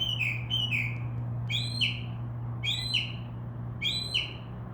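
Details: Nocturnal Northern mockingbird in a tree by a window: a rapid pair of slurred notes, then a two-part phrase of a high note falling to a lower one, repeated three times about 1.2 seconds apart, with a steady low hum.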